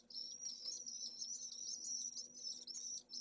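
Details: Shrill, continuous buzzy screaming from a Pallid swift nest with a single chick in Jerez de la Frontera, Spain, at solar midday on 25 August, the peak of a heatwave above 44°C, over a low hum.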